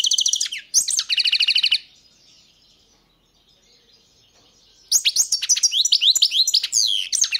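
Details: Song of a European goldfinch, opening with quick chattering notes and a buzzy rattled trill, then a three-second pause before a fresh burst of bright, liquid twitters.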